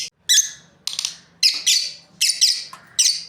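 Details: Rapid harsh chirping from a lovebird breeding pair, loud rasping notes arriving about every half second with little pause.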